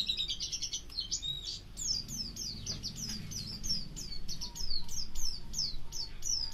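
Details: White-eye, pleci auri type, singing as tutor for other songbirds: a lively stream of high twittered phrases, then steadily repeated sharp downslurred whistles, roughly two a second, with a faint low hum beneath.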